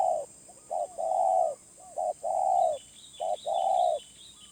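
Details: Medium-voiced wild spotted dove, heard loud and near. Brief coos alternate with long, level, hollow coos in a steady rhythm. Faint twittering of small birds runs in the background.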